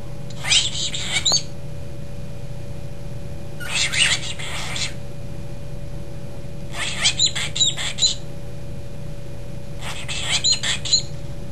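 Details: A pet cockatiel, trying to make friends with a brown-headed parrot, gives bursts of bright, chattering chirps roughly every three seconds over a low steady hum.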